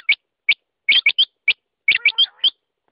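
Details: Quail utter crisp, high chirps, single or in tight clusters, ending with a brief faint, lower, whining note.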